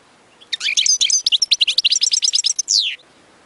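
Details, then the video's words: European goldfinch song used for teaching chicks: a rapid, loud twittering run of high, tinkling and buzzy notes lasting about two and a half seconds, ending in a longer descending slur, against a quiet background. "تغريد أغلى حسون في العالم لتعليم الفراخ"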